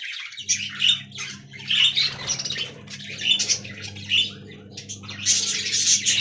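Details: Aviary-kept budgerigar colony chattering in rough, buzzy bursts roughly every second, with brief quieter gaps between loud peaks and a constant low hum beneath.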